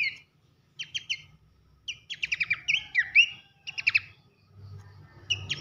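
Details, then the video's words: Pelanduk semak, Horsfield's babbler, heard in a masteran recording of loud 'nembak nyiul' song: spaced bursts of stacked clicking notes with a couple of swooping whistles, quiet gaps between, faint low hum. "masteran nembak nyiul keras khas pelanduk semak"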